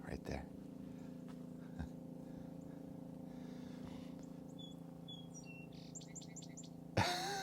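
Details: Song Sparrow singing in a backyard in New England on 16 December, a mild day after cold, snowy days: a few clear whistled notes then a quick rattly series, faint over low hum, a man's voice at the end.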